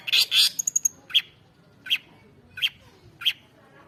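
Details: Singing long-tailed shrike: a loud harsh burst and rapid high ticks at the start, followed by short sharp chirps spaced roughly every 0.7 seconds.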